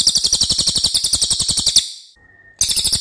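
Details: Racket-tailed treepie in a loud tutoring song: a run of sharp, high, pulsed notes for nearly two seconds, a faint thin whistle during the pause, then the fast chatter returns.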